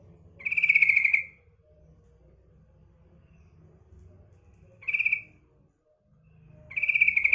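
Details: Calling to attract males, a female sooty-headed bulbul gives three rattling, buzzy bursts. The middle one is shorter, and the bursts are spaced a few seconds apart over a faint low hum.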